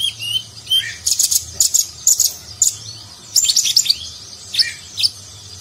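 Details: Nagen-style song of a konin (purple-throated sunbird), a nectar eater, recorded as a master for contest birds. Bursts of very high, metallic, buzzy notes and quick twitters in separated clusters.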